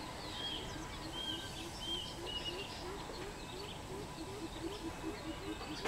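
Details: Greater coucal, recorded 13 June 2020, giving a long run of low, hollow hoots repeated about twice a second, with chattering and whistled calls of other birds and steady background noise.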